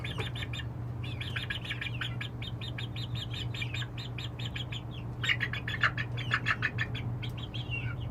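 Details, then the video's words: Chicks at night on their first night of all perching successfully by themselves, giving rapid high peeps in quick runs, pausing briefly, then resuming, over a steady low electrical hum. "Chick sounds and successful perching"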